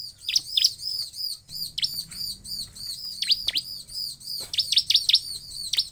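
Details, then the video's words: Bar-winged prinia (ciblek) giving a fast, ringing series of high chirps and down-slurred notes with brief pauses, against a quiet background; the song is used as a lure to make other ciblek respond and sing. "Suara Ciblek"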